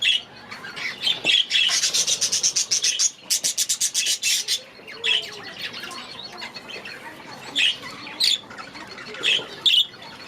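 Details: Budgerigars, young birds from last year, released into a new aviary; bursts of rapid rasping chatter early on, then scattered sharp chirps separated by quieter gaps.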